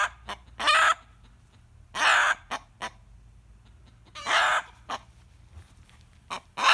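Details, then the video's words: Rooster screaming on hearing a hen cackle, giving raucous drawn-out squawks spaced about two seconds apart, each trailed by brief sharp notes, with near silence between. "Rooster Screaming"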